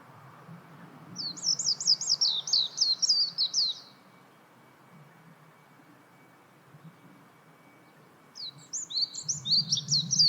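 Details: Two bursts of rapid high-pitched twittering from a warbling white-eye, separated by a quiet gap of several seconds; low background rumble beneath.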